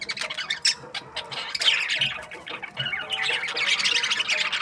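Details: Budgerigars in breeding season chirping happily: dense, overlapping warbled chatter and scratchy squawks, high-pitched and continuous, with a brief louder burst of rapid notes near the middle and a steady flock chorus behind.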